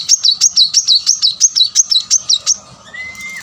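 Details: High, rapid Plain-throated sunbird song used to draw silent caged birds into song: about two and a half seconds of quick, zigzag notes, three per second, followed by a single thin rising whistle.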